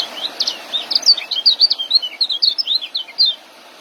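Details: Young white-eye, recorded as training material for caged songbirds, delivering a continuous rapid warble of high thin notes, each a quick downward slur, strung together for several seconds before stopping.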